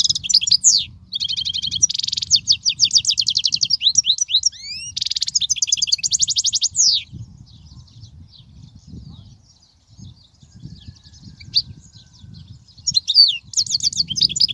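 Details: European goldfinch singing, a recording meant to teach young goldfinches: rapid, high, liquid twittering trills and buzzy rattles in dense phrases for the first seven seconds, then sparser chirps, with a final burst of twitters near the end.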